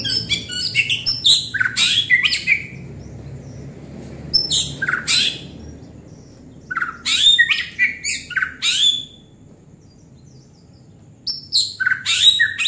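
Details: Actively singing white-rumped shama: bursts of rapid, sharp, high chattering and twittering phrases, separated by pauses of a few seconds of near silence.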